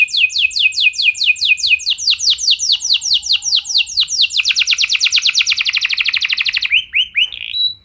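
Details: Canary song used to spur other canaries into long singing. A loud, rapid trill of high descending sweeps runs at about five per second, then quickens into a tighter rattle before ending in a few short rising notes.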